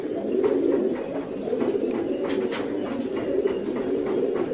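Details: Fancy pigeons in a group, their low rolling coos merging into a steady murmur, with a few brief knocks and flutters breaking through.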